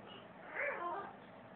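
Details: A pet calico macaw mimics the words "I love you" in one short, warbling, voice-like phrase lasting about half a second, mid-pitched and wavering, with a faint hiss behind it.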